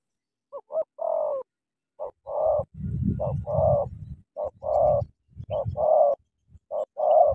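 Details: Caged decoy spotted dove from Cà Mau confronting a wild bird. Repeated short-then-long coo phrases, about one a second, run over a loud low rumbling, scuffling background noise during the middle part.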